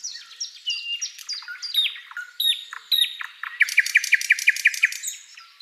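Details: Flycatcher song, recorded for tutoring songbirds: a busy stream of short whistled and slurred notes jumping in pitch, then a steady series of bright repeated chirps, several each second, fading out.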